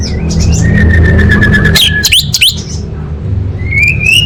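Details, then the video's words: Orange-headed thrush tutor song: a long, even whistled note, then sharp harsh bursts, a pause, and a rising whistle, with steady low background hum. "Rahasia Masteran ANIS MERAH Super Joss!"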